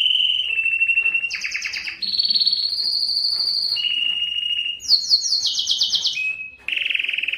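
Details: Canary, Belgian type, singing to attract and stimulate females for breeding: sustained trilled rolls shifting between pitches, buzzy fast-pulsed passages, a high rattling section and bright steady whistled tours.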